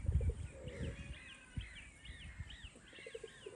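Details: An Upland goose (Magellan goose) on a breeding farm gives a series of soft, arched whistles, about two per second, over low rumbling and handling noise.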